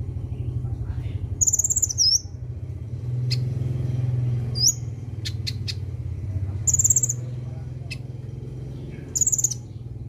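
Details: A young sunbird in training to sing gives a few high, thin, slurred chirps and clicks spaced several seconds apart, above a steady loud low mechanical hum.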